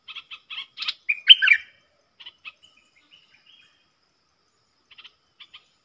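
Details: Wild southern bulbul with a big voice answering a caged lure bird: quick chips rise into a loud, fluty, gurgling phrase, followed by scattered soft chirps trailing off.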